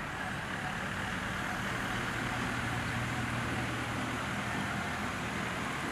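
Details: Steady broadband roar like road traffic or engine rumble, with a low hum throughout and no animal calls.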